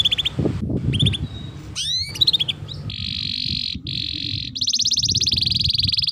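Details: Tutor song of a canary for training young birds: scattered short chirps and rising sweeps, then two long buzzing rolls and a closing rapid pulsed trill.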